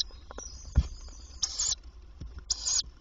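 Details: Tawny owl nest box by day, 27 May 2023, female visiting to feed the young: two harsh, noisy hissing bursts about a second apart, with a soft thump and light scratching before them.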